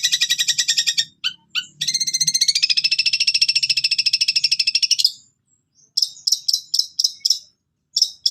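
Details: Long-tailed shrike in energetic gacor song with cililin-style fill: a long, rapid, evenly pulsed high trill lasting about four seconds, followed after a pause by a string of short sharp high notes.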